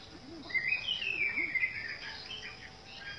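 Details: Orange-headed thrush in a garden, giving a clear warbled whistled phrase that rises and falls, followed by softer varied notes, with a low hooting sound and an insect hum in the background.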